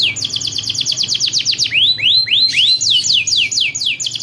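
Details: Canary rolling song used to coax young canaries into singing: a quick train of steep downswept notes, a few slower upswept whistles, then evenly repeated falling sweeps at around four per second.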